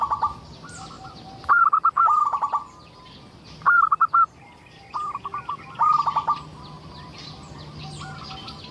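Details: A local zebra dove sings steadily as a lure for other zebra doves: five bursts of quick, bubbling coo notes, some loud and some softer, separated by short gaps.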